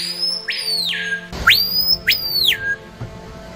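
Screaming Piha giving loud, ringing whistles that swoop sharply up and then slide down, three in quick succession, over soft background music.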